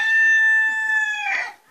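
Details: A rooster, kept separated from the hens, crowing as it does daily to go visit them; only the drawn-out end of a crow, a steady harmonic held note that breaks off and fades with a short rough burst.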